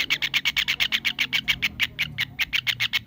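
A kingfisher gives a fast, steady run of harsh, high notes, about eight a second, sustained without a break for three seconds.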